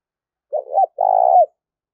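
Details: Spotted dove decoy calling eagerly to bring in wild doves. Two low, rough coos: a shorter wavering one, then a longer burry note that dips at the end.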